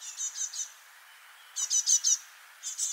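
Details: Young great tit, freshly fledged, calling in spring 2024 at Parc Izadia, Anglet, among four young communicating constantly: short high, buzzy, stuttering bursts of several notes, separated by brief pauses.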